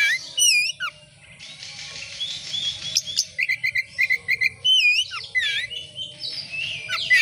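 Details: Oriental magpie-robin in vigorous song meant to lure other birds into singing: loud hooked whistles, quick clicking chip runs and slurred phrases, densely packed over a low steady background hum.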